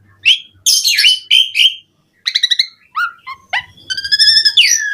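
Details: Javan pied starling song played as a lure for other starlings: mixed harsh squawks, quick chips, downward whistles and a buzzy harmonic phrase at the end.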